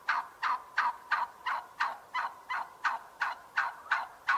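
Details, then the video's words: Rhythmic turkey calls: some thirteen short, raspy notes follow one another at a steady beat over four seconds, with nothing else audible. "Turkey sound"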